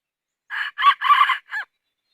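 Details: Rooster crowing: a short, harsh crow broken into four loud, buzzy harmonic bursts over about a second, the last syllable dropping in pitch, with silence before and after.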